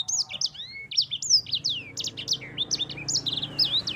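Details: Continuous rolling song of a yellow-fronted canary (sanger): fast high-pitched whistled phrases with swooping slurs and twittering notes, tightly strung together, over a soft low background hum.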